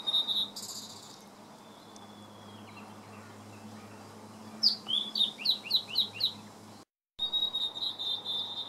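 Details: Blue-and-white flycatcher recorded on 30 May 2014, singing a rapid run of about seven sharp descending whistled notes, preceded by a long thin whistle and followed by a sustained high note, with low background hum.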